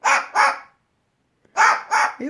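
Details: A pet cockatoo, imitating the neighbours' dogs, barks at a squirrel outside the window: two pairs of harsh, dog-like barks, each a quick double bark, separated by a short silence.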